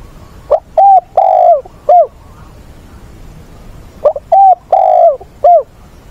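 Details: Spotted dove decoy with the voice of a wild-caught bird, calling to help train newly caught doves: the same four-note cooing phrase is given twice, about three and a half seconds apart.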